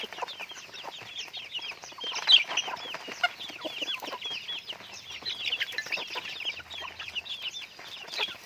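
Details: Pet chickens being raised, giving a dense chorus of high, thin peeps, each a short arched note, overlapping continuously from many birds with scattered faint clicks and knocks.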